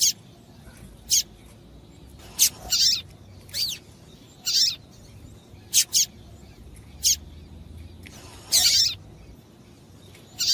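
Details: Female double-collared seedeater calling to warm up the male; rapid run of high, thin chips and a few longer buzzy notes, sometimes paired, scattered irregularly over about ten seconds.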